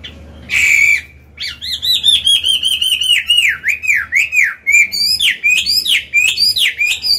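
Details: Old wild-caught Chinese hwamei singing in a cage to train birds to sing; a harsh note then a long fast series of repeated downslurred whistled notes, slowing slightly.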